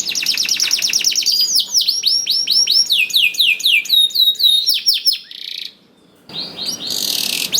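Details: Energetic canary song, a lure for canaries that are slow to sing: dense rattling trill, then rhythmic high swooping whistled notes repeated several times a second, a short silence, and a final hissy high phrase.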